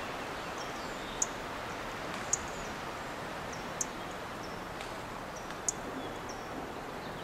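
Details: Dark-eyed junco perched on a Monterey pine branch giving "tsip" calls: four sharp, very high, instant notes at irregular intervals over about seven seconds, against a steady soft hiss with faint rustling.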